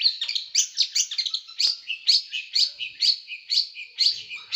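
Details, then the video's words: Small bird with a sharp, rough, tightly packed song used as a tutor for pet birds. Buzzy high bursts repeat about twice a second in a steady, scratchy rhythm. "Masteran burung kecil nembak"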